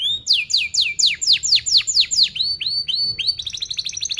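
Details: Canary song used as a lure for training young birds: fast, tightly packed series of downslurred whistled notes, about nine in a row, then shorter rising notes and a rapid trill at the end.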